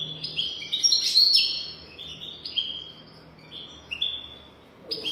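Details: European goldfinch, described as a golden-throated singer, singing to teach young goldfinches: quick high twittering of short whistled and slurred notes, some rising, in bursts with brief pauses, over a quiet background hum.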